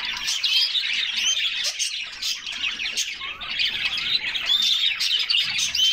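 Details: Canaries splashing in a bath in summer sing a steady, busy chorus of high chirps, short trills and sliding whistled notes, with water splashes behind.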